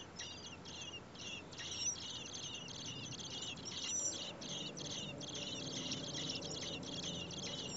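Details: Common blackbird nest with four hungry nestlings fed by busy parents on a day over 30 °C: high scratchy begging notes in quick clusters, fading after four seconds into a low steady rumble.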